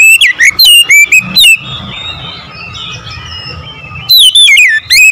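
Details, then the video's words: Oriental magpie-robin song: a burst of loud sliding whistles and sharp notes, a pause of soft low murmur, then another lively whistled phrase. "PASTI CEPAT GACOR BUKA EKOR"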